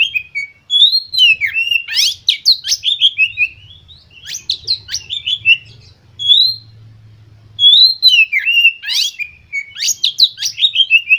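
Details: White-rumped shama song meant to stimulate other birds: repeated loud bouts of quick chirps slurring downward, with quieter gaps and a low hum between bouts.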